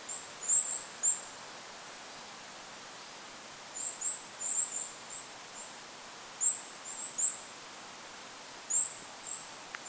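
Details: Bursts of two or three thin, very high Goldcrest notes separated by quiet gaps of a few seconds, recorded in forest by a lake with wind in the background.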